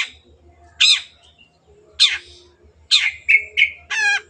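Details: Long-tailed shrike in full voice, intended as a lure to get birds singing: raspy bursts mixed with quick clipped notes and a final buzzy, stuttering trill, over a faint low hum.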